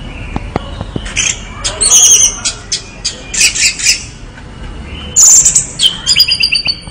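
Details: Orange-headed thrush in full energetic song, mixing short squeaky chirps, scratchy chatter bursts and sharp high whistles in quick, irregular succession.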